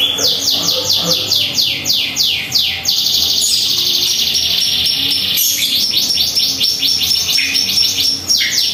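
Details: White-rumped shama in morning song at home, giving a rapid run of high, sharply falling sweeps, then a long buzzy high trill broken by more quick sweeps.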